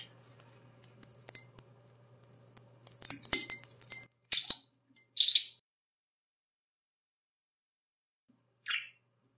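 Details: A male pet budgerigar chatters to himself and his owners, mixing short, scratchy, high-pitched bursts spaced one to three seconds apart with Hungarian speech-like words, after a stretch of light clinks over a low hum.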